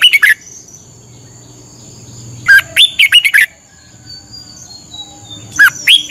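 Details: Red-whiskered bulbul in Thailand, a cage bird played as morning training song: short bright warbled phrases of quick rising and falling notes, one brief burst then two phrases about three seconds apart, over a steady high electrical whine.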